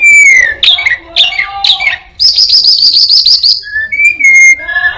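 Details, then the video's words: Orange-headed thrush singing mimicked phrases: a clear whistle, then quick chirps, a fast buzzy rattling trill, and further pure whistled notes at varying pitch. "burung Anis binbin gacor isian perenjak,kucing,cirtu,dan burung lainya"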